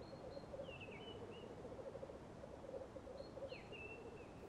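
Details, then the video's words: Black grouse at a lek in Tiveden, Sweden, on a chilly morning, bubbling continuously in low, dove-like rookooing, broken twice by hissing, sneezing 'tchu-whee' calls that drop then level off. "BLACK GROUSE LEK"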